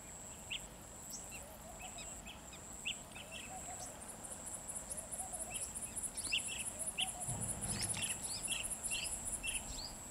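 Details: Blue-tailed bee-eater giving short, rolling chirped calls in quick irregular series, about one to two per second, over a steady high-pitched insect drone and a pulsing insect trill.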